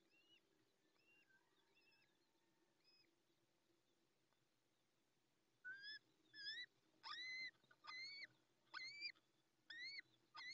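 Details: A little owl chick, hatched minutes earlier at a nest in La Moraña, Ávila, Spain, early morning of 20 May 2024, calls while its mother is away: faint peeps at first, then about eight loud, harmonic, arched peeps, roughly one per second.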